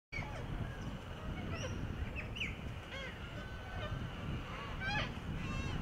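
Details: A flock of little corellas (Cacatua sanguinea) playing on a children's sandpit and swings in urban Perth, Australia. Harsh, screechy squawks come in scattered, overlapping bursts over a steady low rumble of wind or distant traffic.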